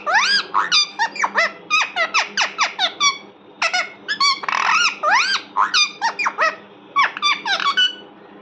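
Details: Parrot chattering steadily indoors, a rapid run of shrill squeaks and arched chirps with almost no pauses, over low background hum.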